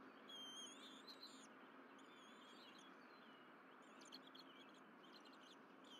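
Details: Bald eagles at the Berry College nest on the morning of 12 April 2023, feeding on delivered fish. A couple of whistled squeals at the start, then faint clusters of quick chittering notes, over continuous background noise.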